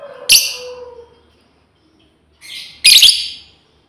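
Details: A female lovebird calling out to companions, giving two loud, rasping, screechy bursts about two and a half seconds apart, the second longer and fuller.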